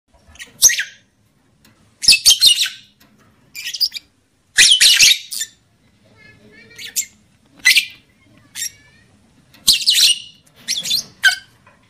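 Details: Lovebird calls played to bring a male into breeding emotion and a female into breeding condition: loud harsh broadband screechy chatter in short bursts every second or two, separated by silence, with occasional softer chirps.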